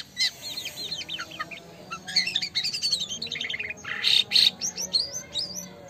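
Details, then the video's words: Black-winged starling in full, active song: quick sequences of sharp chirps, rising whistles and buzzy bursts tumbling one after another, loud harsh notes near the middle, then bright upward-slurred whistles to finish. "Jalak Kapas l Burung Jalak Kapas Gacor.."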